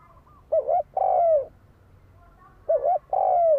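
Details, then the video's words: Spotted dove used as a fighting lure: two low, mellow cooing phrases, each a brief wavering double note and then a longer sustained coo that drops at the end, about two seconds apart. "Tiếng chim cu gáy đấu bổi dùng kích mồi"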